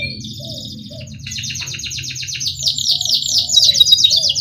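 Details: Canary pouring out a 'ngerol' rolling song as a tutor for young canaries, rapid high buzzy trills growing louder, over a steady low hum in the background.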